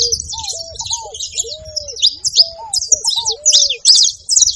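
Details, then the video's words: Saffron finch making short clusters of high, buzzy chips, separated by brief gaps. Lower drawn-out whistles glide up and down beneath them. "Canário da terra fazendo barulho"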